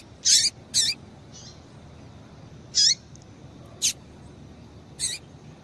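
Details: Female double-collared seedeater calling to stimulate a male: about five piercing, high chirps with short descending slurs, irregularly spaced about a second apart.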